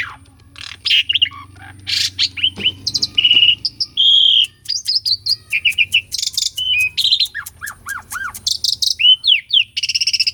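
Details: Asian pied starling singing at full energy, recorded live as a lure for birds that have stopped singing; a varied stream of clear whistles, arched slurred notes, rapid rattling clicks and downward-sweeping calls.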